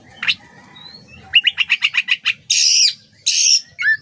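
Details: Oriental magpie-robin (kacer) song as master material for training songbirds: a thin whistle, then a run of about eight evenly spaced chirps, followed by two harsh, scratchy, drawn-out notes and a final twisting whistle.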